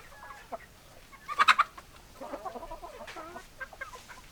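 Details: Chickens clucking together, a loud burst of sharp squawks near the middle followed by rapid, warbling clucks from several hens.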